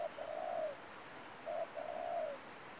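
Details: Trapping decoy spotted dove giving two cooing phrases, each a short note followed by a long smooth descending coo, about a second and a half apart, with a steady high-pitched hum.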